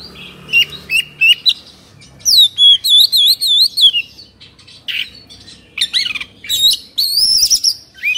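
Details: Agitated 'kongslet' Oriental magpie-robin from Indonesia, beak open and tail fanned, gives loud clipped whistles repeated about three per second, a long rippling wavering trill, then more sharp notes and a high quavering phrase.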